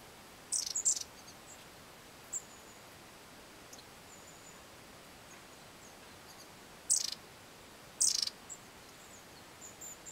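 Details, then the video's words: Long-tailed tits calling in winter in Hornopožárský forest at Požáry, 25 January 2009: a few very high, thin, short notes in scattered bursts, several seconds apart, over faint background hiss. "Mlynaříci dlouhoocasí v Požárech 25.1.2009"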